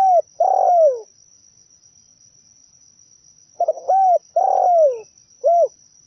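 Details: Zebra dove song played as bird-trapping bait: a falling coo, a pause, then a stuttering burst, a rising-falling note, a long drooping coo and a short final note, over a faint steady high tone.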